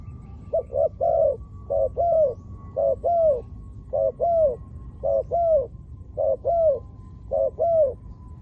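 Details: Spotted dove calling to lure wild doves, ground decoy setting: paired rounded coos repeated in a steady rhythm, about seven phrases in eight seconds, each a short note followed by a longer falling coo, over a low rumbling background.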